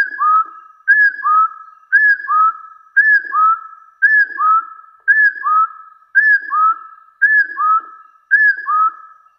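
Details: Hill partridge giving its challenging call toward rivals: a paired whistle, a short arched note then a lower, longer level whistle, repeated steadily about once a second, nine times, on a quiet background.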